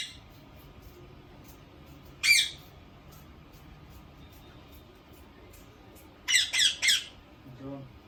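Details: Harsh screeches from a caged Indian ringneck parakeet indoors: one lone squawk, a long quiet gap, then three rapid grating squawks in a row, with a soft low sound at the end.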